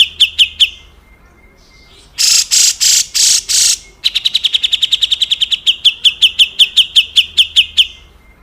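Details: Grey-cheeked bulbul in harsh besetan kasar calling, a clear master recording for training cage birds such as white-rumped shama; quick repeated sharp notes, a louder burst of rasping broad notes midway, then a long rapid accelerating series.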